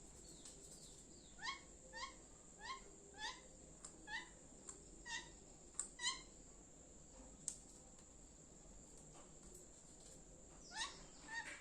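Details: Pet Indian parrot chirping indoors: a series of short, bright rising chirps about every half second, then scattered sharp clicks and a few more squeaky notes, over a steady high electrical whine.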